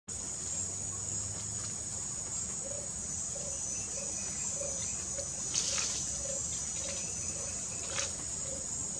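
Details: Scarlet-crowned Barbet (Capito aurovirens) recorded at Japiim Pentecoste ecological reserve, Mâncio Lima, Acre, Brazil, gives a steady series of low, hollow notes, about two per second, beneath a loud, high insect chorus.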